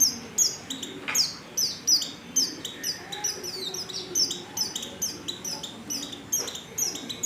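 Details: White-eye female in breeding condition calling a male: rapid, dense series of thin, high descending tweets that overlap one another, with a faint low background hum.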